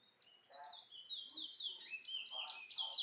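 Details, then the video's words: Towa towa bird, described as a bringle bird, singing high, rapid chattering phrases with slurred notes, plus a few lower, fuller chirps mixed in. "TOWA TOWA BRINGLE BIRD"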